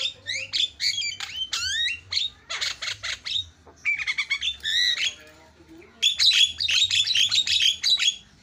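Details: Javan myna singing loud varied phrases: swooping whistles, harsh buzzy bursts and rapid scratchy chatter in near-continuous sequence; played to make other mynas sing.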